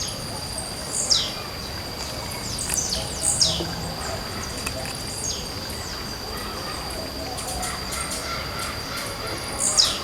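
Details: Blue-black grassquit singing and hopping in a forest, with short buzzy notes that sweep sharply downward, given about every two seconds and then after a pause, over a steady high insect-like tone and soft background hiss.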